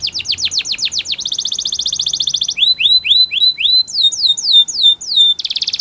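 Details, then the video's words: Spanish Timbrado canary singing for training: fast descending sweeps, a buzzing trill, rising whistled notes, sharp falling notes in series, and a final rolling trill. "Canary Singing Champion !! Spanish Timbrado Song"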